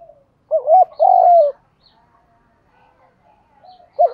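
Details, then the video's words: Spotted dove calling to provoke wild-caught doves to coo and fight: one phrase of two quick soft notes and a longer descending coo, then quiet and the start of the next phrase. "cu gáy kích bổi nhanh nổi gù, tiếng thúc đấu rút bổi"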